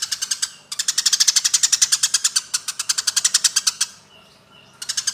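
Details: Eurasian tree sparrows fighting: a sustained, very fast chatter of harsh chirps running for about three seconds, a quiet pause, then chirping resumes.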